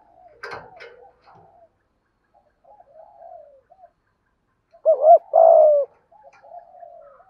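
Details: Spotted dove cooing, played to prompt a caged dove that has long been silent to start cooing; low hooting coos, a loud burst of two-part coos in the middle, softer distant coos around it, a brief clatter near the start.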